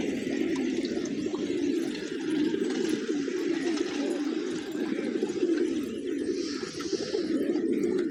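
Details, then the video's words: Grain-eating pigeons in a village at morning keep up a continuous low, rolling cooing from many birds, with a brief hissing noise near the end. "Cute Pigeons Eating, Playing & Making Funny Sounds"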